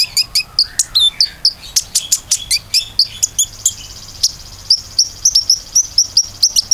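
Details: Lure recording of common iora song meant to set other ioras singing: fast clicking chips and hooked whistles, then a thin sustained high trill under a string of crisp repeated notes.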